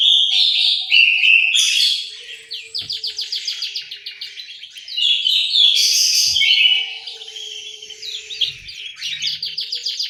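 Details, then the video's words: Aviary orange-headed thrush from Malang, East Java, singing rich whistled phrases broken by fast rattling trills of rapidly repeated notes. A steady faint hum runs underneath. "suara burung anis merah"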